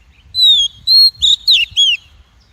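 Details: Female call of the Oriental magpie-robin, played to excite males, train their voice and lure them into traps; five clear whistled notes, the first long and falling, then a slurred twisting phrase, in a quiet setting.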